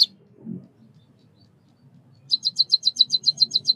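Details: White-headed munia (Lonchura maja) of Southeast Asia: after a quiet start with faint low rustles, a fast, even series of about a dozen high sharp chirps.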